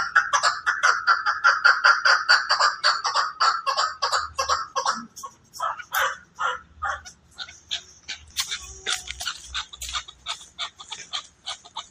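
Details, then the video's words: Rapid rattling chatter from a Chukar partridge in Pakistan, a fast run of notes for several seconds that slows into separate spaced clucks, then another quicker burst toward the end. "Chakor | chakor ki awaz"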